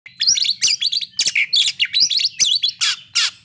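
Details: An Oriental magpie-robin sings a lure song that brings other magpie-robins into breeding condition and aggression. It is a dense, chattering run of sharp high chirps and short whistled twists, delivered in quick bursts about every quarter second.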